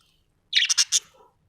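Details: Short burst from a budgerigar: four quick loud chirps run together, bright and slightly harsh, followed by a soft low trailing note.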